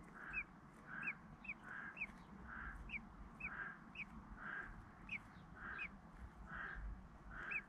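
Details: At a UK nest, mother and father common blackbird feed young about three or four days old; a steady series of short sharp upward-flicking notes, each with a soft husky lower note, roughly every half to three-quarters of a second.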